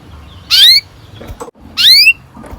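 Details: Canary sound played to prompt young canaries to sing: two loud, quick upward-sweeping whistled chirps about one and a quarter seconds apart, with a soft tap between them.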